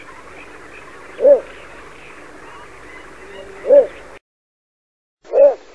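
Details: Little bittern (Ixobrychus minutus) song, Europe/Jura: short, deep, croaking barks, one every two to three seconds, over a steady hiss of background chorus.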